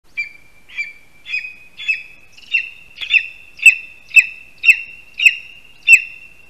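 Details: Lesser spotted eagle at its spruce nest in Latvia, 22 August 2021, early afternoon, as the first prey, a rat, is brought and handed over on the tree; high yelping notes repeat about twice a second, growing louder.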